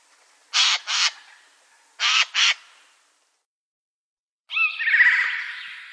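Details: A Eurasian jay in daytime gives two pairs of harsh, rasping screeches about a second and a half apart, then a longer, grating, more tonal call. No other sounds.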